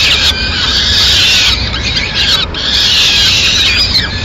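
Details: Peregrine falcon mother feeding chicks at a Madrid nest, 29 April 2016; two long bursts of raspy, wavering screams separated by a brief dip in sound.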